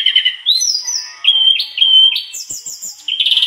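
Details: Mangrove blue flycatcher singing vigorously through its learned song material: steady whistled tones, then a rising series of pure notes stepping upward, a high buzzy flourish and a closing rapid trill.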